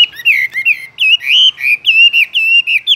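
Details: Chinese hwamei in a cage delivering a continuous melodious phrase of rich, slurred whistles that swoop up and down in quick succession.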